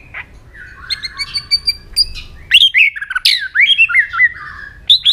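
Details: White-rumped shama fighting song with tail clicks and double notes: soft buzzy notes, then loud swooping whistles, sharp clicks and short descending phrases.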